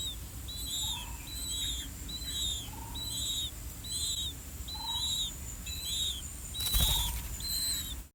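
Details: A pair of older blue-winged pitta chicks in their nest calling for food from both parents; rhythmic high, slightly buzzy descending notes near once per second, lower short notes between, and a brief loud rustle or knock near the end.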